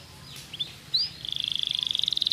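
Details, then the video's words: Kenari pocong canary, played to coax a stalled canary back into singing: scattered high sweeping chirps open, then a rapid, even, high-pitched trill of pulsed notes builds steadily to the end. "KENARI POCONG,AMPUH PANCING KENARI MACET AGAR KEMBALI GACOR"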